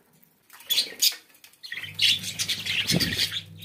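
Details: Pet budgerigars chirping in short bright bursts, with a pause and then a busier run of twittering notes; low steady hum underneath.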